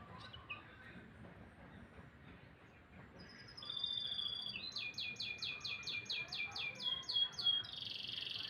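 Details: Canary singing in the morning, starting with quiet chips, then steady whistled notes leading into a loud fast trill of repeated downslurred syllables ending in a buzzy phrase.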